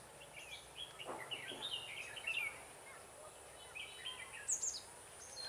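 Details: Red-whiskered bulbul heard at a trapping site on 7 October 2018, with a lure bird in use. Quick chirpy warbled notes come in a few clusters. Brief, very high, thin notes near the end may be from another bird. Steady hiss throughout.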